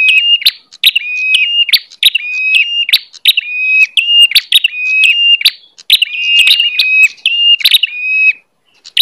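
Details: A bar-winged prinia lure call, used to attract wild prinias in rice fields, dry fields, gardens or forest, repeats a sharp, high, flat whistled note with dry clicks, about twice a second.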